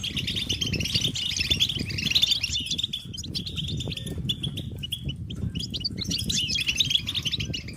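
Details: European goldfinches chattering as a group in a stimulation chorus for males: high twittering notes, thinning briefly midway, over constant low rumbling noise.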